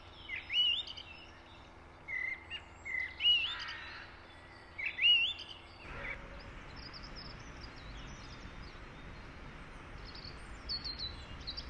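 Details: Eurasian blackbird singing short clear whistled phrases, several in quick succession over the first six seconds, then quieter high chirps from other birds amid steady background hiss and low hum.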